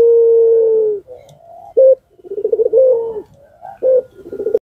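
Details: Puter pelung Barbary dove used as a lure to set off other doves, opening with a long steady low coo, then short sharp notes and a rapidly pulsing trilled coo, ending in quick rolling phrases.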